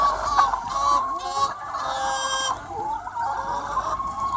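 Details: Free-range hens on a sunny spring day, a noisy mix of raspy cackling bursts and drawn, bending squawks, overlapping so that the flock sounds continuously busy.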